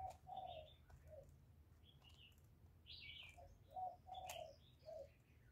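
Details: Spotted dove cooing continuously to lure other doves, a series of low, soft hollow coos in short phrases, with thin higher chirps of small birds and occasional sharp clicks in the background.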